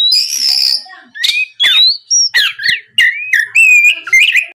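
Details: Oriental magpie-robin song used as a lure to draw other magpie-robins into singing: loud, varied whistled phrases, slurred notes and sharp rising and falling sweeps in quick bursts separated by short pauses.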